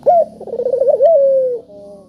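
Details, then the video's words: Spotted dove calling to stir reluctant doves: a bright opening note, a fast wavering trill, then a smooth long falling glide, closing with a quieter low tone, over a faint hum. "Burung Puter Gacor Suara Merdu,Tajam Cocok Buat Pancingan Yang Pemalas Bunyi"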